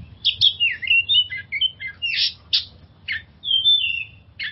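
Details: Oriental magpie-robin singing, a lure song for stressed kept birds: separate whistled phrases, bent slurs and harsh rasping notes spaced by short gaps, ending with a long clear falling whistle and a buzzy note.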